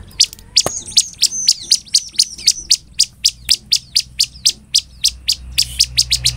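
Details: Bar-winged prinia in full song, used as a lure to make other prinias respond: sharp, high, clipped notes repeated about four times a second in a steady series, with a few thin whistled slurs early on.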